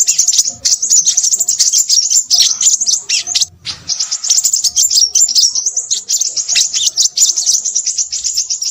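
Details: Crimson sunbird in noisy song: a fast, piercing chatter of squeaky chips and trills, with a short pause just before four seconds and faint low sounds beneath.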